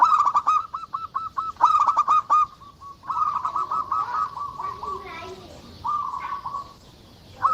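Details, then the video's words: Local zebra dove singing actively, giving rolling, trilled coos repeated in quick series, with brief high chirps and clicks at the start and a soft background hum. "perkutut lokal gacor"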